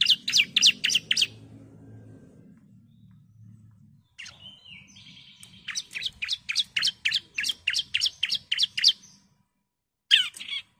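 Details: A female bar-winged prinia calls the male with fast series of high, sharp chips, then a pause, then a longer run of about a dozen chips, and a final short burst.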